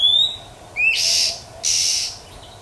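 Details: Female Oriental magpie-robin in the wild, calling to stimulate males. One bright rising whistle is followed by a shorter upslur, then two harsh hissing rasps.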